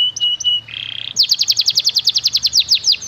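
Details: Canary master song of the fancy melodic style, used to train young birds: short whistled notes, a soft buzzy trill, then a steady run of loud high chips about every tenth of a second.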